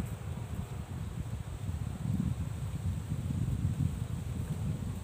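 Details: Low wind rumble and rustling outdoors, without any animal calls.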